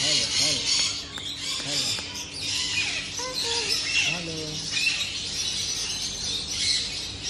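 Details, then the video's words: White cockatoo playing and trying to talk: short voiced, speech-like syllables with curving, sliding tones, some rising and falling, scattered through the recording over a constant bright, hissing background. "cockatoo white parrot like to play and try to talk"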